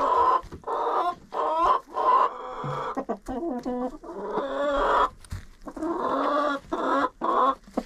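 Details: Several chickens inside a coop, recorded with a GoPro: dense, continuous nasal clucks and cackles overlap, in short bursts roughly every half second, with a few sharp clicks between them.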